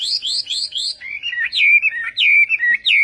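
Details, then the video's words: Chinese hwamei singing Vietnamese style: three high, quick trilled phrases followed by loud, slurred whistles that drop and rise in varied phrases. "HỌA MI TÂY - TIẾNG HÓT VIỆT"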